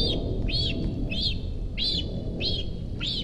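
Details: Begging calls of a young cinereous vulture at its Rascafría nest, Sierra de Guadarrama, as an adult approaches. Five loud, arched squealing notes, evenly spaced about every 0.6 seconds, over a strong low rumble like wind.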